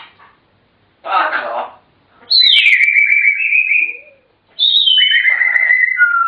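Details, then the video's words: African grey parrots chattering indoors: a short speech-like burst, then long, clear whistles that drop sharply and hold level, repeated after a pause, with a fainter, lower note between. "Chatterboxes!! African Grey Parrots"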